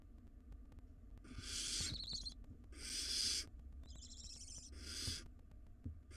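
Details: Long rasping hisses alternate with tonal wheezy calls, four bursts in six seconds, from wild barn owl nestlings in a nest box pulling at a large rodent.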